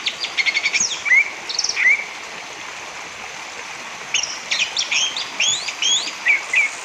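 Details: Song of an orange-headed thrush, played to get other birds singing: brisk whistled and chattering phrases, a silent gap of about two seconds, then busier varied notes and sharp upslurred whistles, over a rushing hiss.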